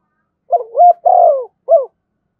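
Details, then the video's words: Spotted dove in thổ voice with thúc and kèm styles, giving a short varied sequence: a rising hooted note, a long falling coo, and a final brief arched note. "tiếng cu gáy giọng thổ thúc và kèm hay nhất"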